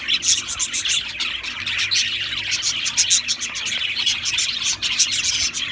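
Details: Brisk chirping from Australian parrots, dense high twitters and ticking notes coming in rapid bursts, with the chatter swelling and easing every second or so.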